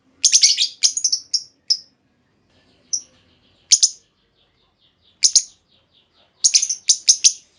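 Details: Caged female lovebird calling to draw a response from other lovebirds: a quick run of piercing high chirps, then single sharp notes spaced about a second apart, ending in another rapid cluster of chirps.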